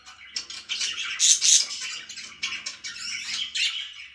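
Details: Budgerigars chirping in the morning with a few loud, piercing high squeaks among rapid buzzy chatter and warbled notes.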